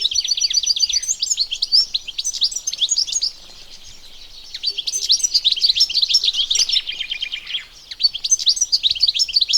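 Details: Sustained European goldfinch song from the wild: long runs of quick, jangling twitters and trills, interrupted by two short pauses near three and seven seconds, then resuming at full energy.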